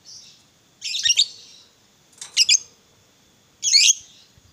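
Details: Lovebird of the fighter type, used as a lure for other lovebirds: three loud rasping high squawks, each double-pulsed, spaced about one and a half seconds apart in a quiet background.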